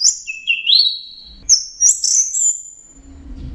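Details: Brief 'teler' style training phrase: a high whistle stepping upward into a sustained piercing note, repeated twice, then quieter background.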